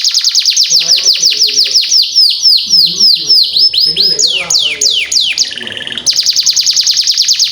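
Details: Canary lure song for young birds learning to sing. A rapid series of high downward-sweeping notes repeats about three times a second, then switches to deeper, slower sweeps before a dense high trill.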